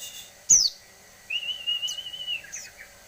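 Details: Grey-cheeked tit-babbler song: a sharp high note, then a long, steady whistle with a slight wobble lasting about a second, ending in faint fading notes over a quiet background.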